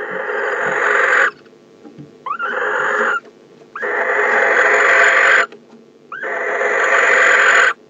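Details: Male barn owl inside a nest box on December 15, calling as the female arrives home: four long, harsh, hissing screeches, each lasting one to two seconds, separated by short quiet gaps.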